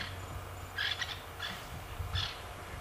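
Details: Francolins in a South African safari reserve, disturbed by nearby lions, give harsh, grating "churrum, churrum" alarm bursts that warn everything around of a possible predator.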